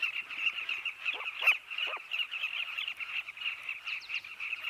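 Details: Nesting colony of Southern carmine bee-eaters, hundreds of rolling chirps merging into a continuous chatter, with a few louder, downslurred calls standing out briefly in the middle.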